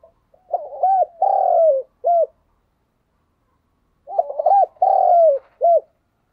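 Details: Thúc gù call of a spotted dove, played to get other doves cooing: two matching phrases about four seconds apart, each with quick soft notes, a long resonant coo and a crisp closing note.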